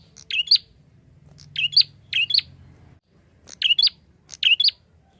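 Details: Energetic prinia call, used to attract flocks of other birds: five sharp, high squeaky chirp phrases in two clusters, each phrase a rapid double note, with a faint low hum behind.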